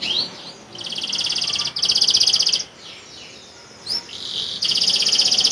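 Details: Boyolali canary used as a tutor singer for other birds; dense buzzy trills in bursts with short pauses between them, plus a couple of quick rising chirps in the gaps.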